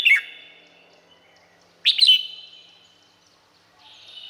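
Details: Thai Red-whiskered bulbul giving two separate short phrases: a dipping chirp, then a bubbly trill of several quick notes. Both leave drawn-out reverberating tails.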